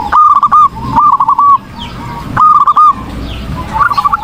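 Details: Zebra dove (perkutut) in lively song, recorded as a tutor for training birds: three crisp bursts of rapid, tremulous cooing notes, a lull of faint sound, then a softer phrase at the end.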